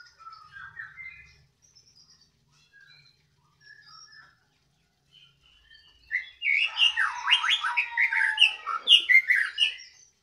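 A white-rumped shama sings soft scattered whistles, then bursts into a loud, rich, rapid stream of varied notes.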